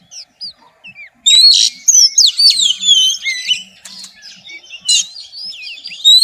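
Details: Female Oriental magpie-robin in xùy song aimed at stimulating males: a few quiet slurred notes, then loud, varied, overlapping whistles and buzzy chirps with brief gaps.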